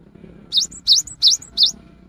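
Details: Rainy-season lure song of a cinereous tit: four evenly spaced high notes, each a quick dip-and-rise whistle with a fainter high tail, over a soft low rumble.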